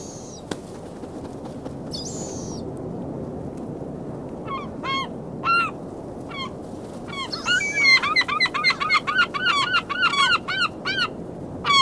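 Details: Gulls on a beach on February 27, 2016, at 19°F, give harsh, nasal calls that swell into a fast, yelping series, several birds overlapping, over a steady roar of surf and wind.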